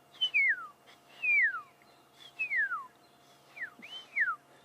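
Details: On a 13 March sunset safari drive, magpie shrikes call off to the left: clear, liquid whistles that slide downward, about one per second, with several birds calling over a faint steady hum.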